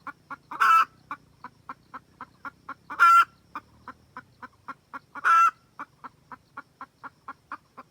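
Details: Wild red junglefowl hen calling for the rooster: fast, regular clucks around four each second run throughout, punctuated by three loud grating squawks about two seconds apart.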